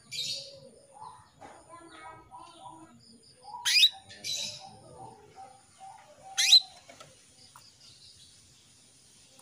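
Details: Calling female canary luring a male into song: bright brief rising chirps, two loud ones a few seconds apart, among quieter warbled notes and faint lower twittering in the background.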